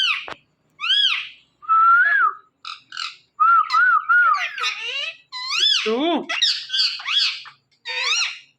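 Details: On a Thursday night an Indian ringneck parakeet chatters in a dense string of speech-like syllables, arched squawky notes and short wavering whistles, phrases following one another almost without pause.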